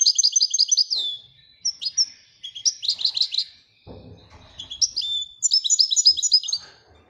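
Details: Royal European goldfinch singing in several bursts of rapid liquid twittering, the chirped notes tumbling quickly with short gaps between phrases; a brief low thump or rustle partway through.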